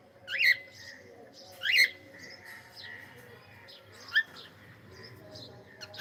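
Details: Pet cockatiel saying hello with two loud rising squawky calls about a second apart, followed by softer trailing chirps and a brief sharp note later, steady low hum underneath.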